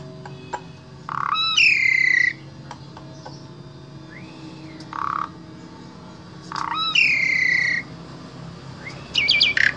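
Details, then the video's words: Vocal-tutor Asian pied starling from Wonosobo, Indonesia, singing a rich repertoire: loud harsh buzzy bursts with bright whistled overtones, separated by soft arched whistles and a short low buzz, ending in rapid high squeaky notes. "Jalak SUREN SUPER GACOR Full Isian Sangat Ampuh Dijadikan Guru Vokal Jalak Trotol"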